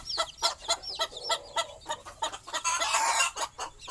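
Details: Young chicks with their mother hen at night as she sleeps on a stick by the nest: rapid bright peeps rising and falling, about four per second, mixed with soft hen clucks and a louder busy stretch near the end.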